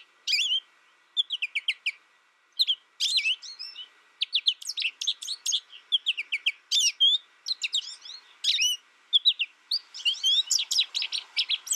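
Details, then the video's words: American goldfinch in a long, steady twitter of rapid high chirps and sweeping notes, grouped in quick clusters with brief gaps, growing denser and busier in the final seconds. "American Goldfinch Sound"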